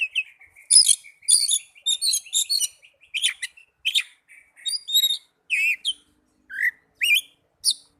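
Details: Caged-bird lure of Oriental magpie-robin song: dense chattering and whistled notes, a thin steady trill underneath at the start, then clear rising and falling whistles spaced about half a second apart, clean background.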